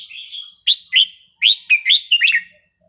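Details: Red-whiskered bulbul song intended to tutor young birds: a soft opening warble, then a lively string of about seven loud, liquid whistled notes in quick succession.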